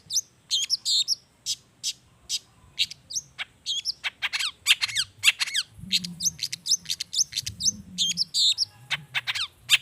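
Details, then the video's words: Long-tailed shrike song played as a lure to make shrikes sing, with natural fill notes: a rapid run of sharp high chirps, downslurred whistles and harsh notes in bursts, near-continuous over ten seconds. "SUARA CENDET GACOR ISIAN ALAM || ANTI GAGAL efektif bikin cendet malaspun langsung ikutan bunyi"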